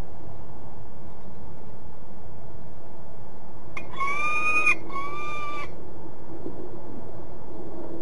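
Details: Peregrine falcon at De Mortel, Netherlands: two drawn-out, slightly rising tonal whining notes rich in harmonics, about a second each with a short gap, standing out over steady low background noise.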